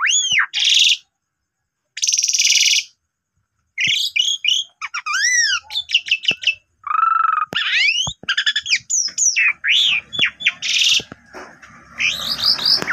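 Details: Asian pied starling lure recording with added song elements, meant to get other starlings singing: harsh rasping bursts, then fast looping whistled arcs, clicks and chattering phrases in a dense, varied medley.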